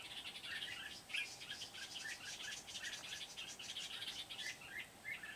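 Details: Red-whiskered bulbul in Kim Bôi, Vietnam, on 8 September 2019, singing as a trapping decoy: dense string of quick chirps and bubbling whistled notes, several overlapping, continuous across the recording.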